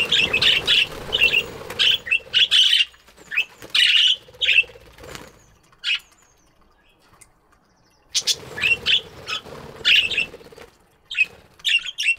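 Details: Flock of budgies chirping in an aviary in the morning: dense chattering bursts of scratchy chirps, a quiet gap mid-way, then another lively burst of chatter.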